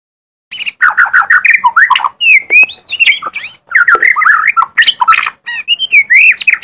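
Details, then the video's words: Lively magpie-robin song of harsh squawky notes mixed with clear slurred whistles and rapid chattering phrases, delivered almost without pause after a short silent start. "kicau burung mb bermain sangat gacor"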